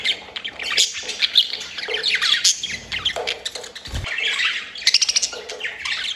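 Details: Breeding budgerigars making mating sounds: busy overlapping warbling and squawks with scratchy notes and rapid clicking bursts, a colony of birds chattering without pause.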